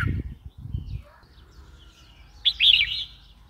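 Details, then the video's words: Red-whiskered bulbul giving one short chirpy, warbling phrase near the end, after a second of low rumbling noise at the start. "Red whiskered bulbul call 04"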